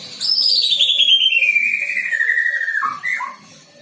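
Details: White-rumped shama fresh out of juvenile plumage, learning filler song: a long loud whistle sliding steadily downward over about two and a half seconds, followed by two short falling notes.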